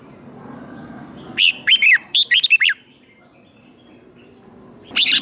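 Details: Fighting song of a caged red-whiskered bulbul, played to train birds: a burst of about eight clear, bouncing whistled notes, several seconds of near silence, then the start of the next phrase.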